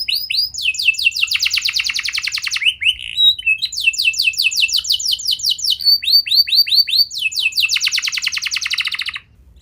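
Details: Domestic canary song used as a lure to prompt young canaries that are slow to start singing: a loud, continuous run of fast, high, rolling trills, each tour of rapidly repeated notes lasting one to two seconds before switching to another, with no other sounds.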